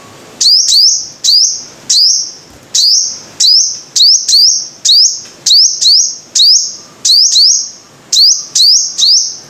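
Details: Five-coloured sunbird delivering rapid shrill notes, each a swift upward whip into a thin steady buzz, clustered in twos and threes with short pauses, very high and dominant over a faint hum.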